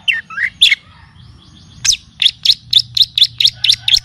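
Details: Long-tailed shrike (cendet or pentet) song used to train and provoke birds, mixed with kapas tembak and cililin song. A few swooping whistled notes lead into a steady run of about ten sharp, evenly spaced high chips.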